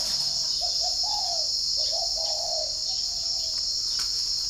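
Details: Spotted dove at a dove-keeper's garden in Ba Vì, Hanoi, Vietnam, cooing in the morning while wild birds answer. A series of short, soft, mid-pitched coos rises and falls in two phrases. A loud, steady insect drone fills the background.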